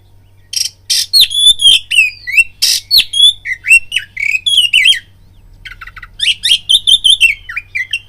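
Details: Oriental magpie-robin in an aroused, fighting mood, singing as a lure to provoke rivals: loud varied whistles and slurred notes around mid-high pitch, mixed with harsh rasping bursts, in fast phrases with a short pause before a final run.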